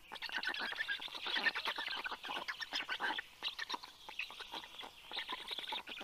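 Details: Young black storks in the nest growl as the adult arrives bringing fish, morning of 11 June 2022. Dense, throaty rattles pulse quickly and unevenly, rising and falling in loudness as chicks call together.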